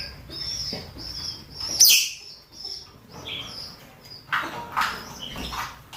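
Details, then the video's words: Male and female rosy-faced and Fischer's lovebirds calling for mating: high chirps, one loud shrill squawk near the middle, then rougher chattering bursts toward the end. "نداءات ذكور وإناث طيور الروز والفيشر من أجل التزاوج"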